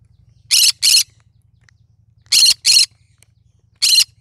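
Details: Cinnamon green-cheeked conure singing: two quick pairs of harsh, raspy squawks and a final single one, against a steady low hum.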